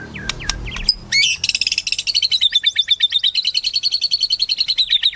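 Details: Melodious shama song: a few sharp, varied whistled notes, then a long, fast, even trill of bright high notes, about eight per second, holding steady for over three seconds.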